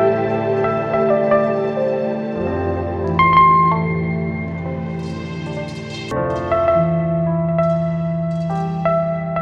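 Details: Gentle ambient piano and keyboard music plays throughout, with sustained chords and a slow melody.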